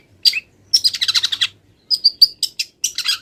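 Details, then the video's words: Long-tailed shrike, a wild bird not yet done moulting, delivering a song packed with mimicked phrases. A rapid rattling chatter of sharp notes is followed by separate clear, high whistled chips, and the background is quiet. "MASTERAN CENDET FULL ISIAN BURUNG LIAR"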